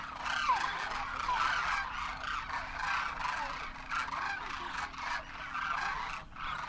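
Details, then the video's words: Wild Demoiselle Cranes wintering in Rajasthan, India, adults with first-year young, trumpeting in flight; a thick chorus of rolling, honking calls from many birds, rising and falling in loudness, over a faint steady hum. "Demoiselle Cranes darken the sky, trumpeting in flight"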